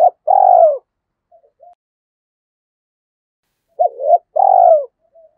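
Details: Spotted dove kept as a decoy, cooing in the 'thổ' voice style to provoke and lure wild doves: two low, hollow coo phrases, each a short note then a longer falling coo, separated by about three seconds of silence.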